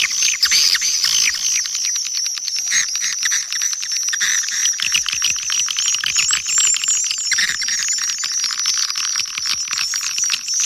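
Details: Swiftlet calling sounds from Kampar, Riau, used to lure swiftlets to a bird house: a dense, continuous chorus of rapid high chirps and twitters, with many overlapping callers and no pauses.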